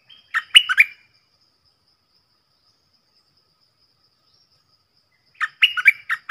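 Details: Caged decoy stripe-throated bulbul used to teach young birds and attract wild birds. Two brief phrases of rich, liquid, up-and-down warbling notes are split by about four seconds of quiet.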